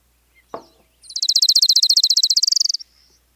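An Orange-crowned Warbler sings a fast, high trill of about thirty even notes that climbs slightly toward the end. A single dull knock comes just before it.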